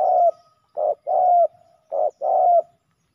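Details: Male spotted doves fighting fiercely at a ground-level decoy site: clear, mellow coos, short notes alternating with longer drawn-out ones in a steady repeating phrase, about five notes over three seconds, quiet background.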